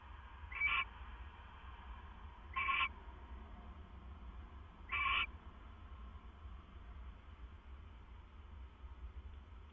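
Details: Night owl sounds from 25 September 2015, 2:32 AM, as the male brings his mate a treat: three short, scratchy screeches spaced about two seconds apart above a low background hum.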